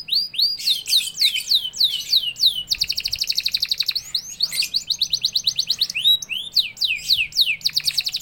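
A canary sings a bright, high, continuous song of swooping whistles and fast rolling trills repeated several times a second.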